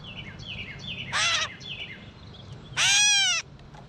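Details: Gray catbird in a backyard while eating, giving two loud, harsh cat-like mews about 1.7 seconds apart, each a short nasal burst, over faint repeated descending chirps from other small birds.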